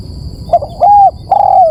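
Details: A single spotted dove phrase from a bird-luring recording: a brief soft double hoot, then two longer, smooth, level coos, the last trailing downward, with low background rumble.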